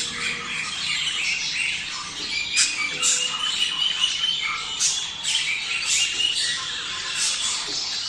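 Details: Budgerigar mating sound intended to stimulate breeding: many birds chattering at once in a steady high squawking wash, with brief sharp chirps and a few thin whistled notes through it.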